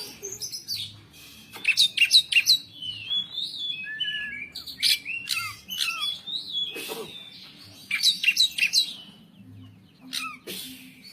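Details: White-rumped shama kept as a cage bird delivering 'pletik pletik' song: clusters of rapid sharp chips alternate with smooth whistled and warbled phrases across about eleven seconds, a low hum underneath.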